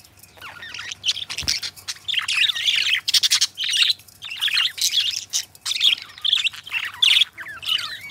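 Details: Two pet budgerigars kept as companions chatter and warble in a busy, continuous stream of scratchy, twittering notes, with short bright chirps and squeaks tumbling over one another.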